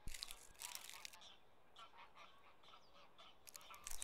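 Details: Common cranes (Grus grus) in a mating ritual at Gjennestadvatnet, Norway: harsh, honking calls with bright overtones rise over a quiet background, framed by sharp clicking and rustling noises at the start and end.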